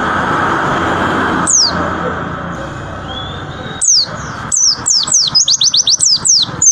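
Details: Against steady broadband noise, a white-eye gives one or two isolated high downslurred whistles, then breaks into a quickening series of sharp falling notes and short trills in the rapid 'tembakan' style.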